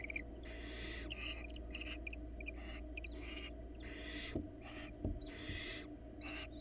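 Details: Barn owls at a Florida nest cam as the female brings a rat to one of her four nestlings and interacts with the male: a run of harsh, hissing screech bursts, about ten in under seven seconds, over a steady low electrical hum.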